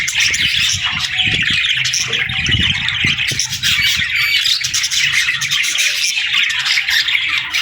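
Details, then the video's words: A flock of baby budgerigars chirping and singing with excitement while playing: steady, loud, dense high twittering and warbling throughout, with low thumping knocks underneath. "Baby Budgies Playing & Talking 🐣🎶 | Fun Chirping Sounds to Brighten Your Mood"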